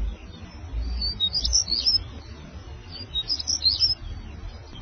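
African stonechat singing two short, high, scratchy twittering phrases about two seconds apart, over a low rumble of wind.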